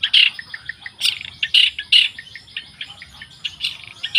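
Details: Wild long-tailed shrike song, a loud, fast jumble of harsh chirps and scratchy notes mixed with brief clear whistles, delivered in uneven bursts with louder accents about every half second.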